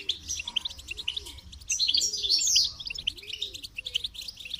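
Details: Goldfinch song: rapid twittering, tinkling high notes in bursts, with soft lower warbling phrases beneath.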